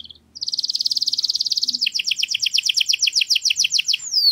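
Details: Canary tutor song for training chicks: a steady, fast high-pitched roll lasting over a second, shifting into a run of doubled, clipped notes, closing with a falling whistled sweep.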